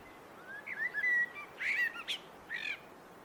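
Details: Blackbird song: a clear mellow warbling phrase of slurred whistles, broken by a couple of harsher chuckling notes and ending with a short squeaky twitter, with quiet natural ambience behind.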